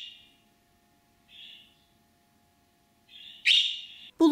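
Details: A pet budgerigar gives the calling sound made when separated from its cage mate or on hearing another budgie: short, scratchy chirps, a few separate calls then a louder harsh burst, with a low steady hum underneath.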